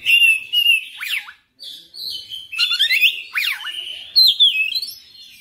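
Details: Loud, persistent song of an oriental magpie-robin showing off its repertoire: sustained clear whistles, deep swooping down-up slurs repeated twice, and bright high notes, with a brief pause early on.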